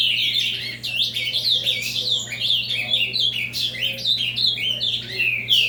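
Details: Ultramarine grosbeak singing in the avalanche style: a rapid, continuous run of high warbled and whistled notes with quick up-and-down slurs, delivered without pause throughout.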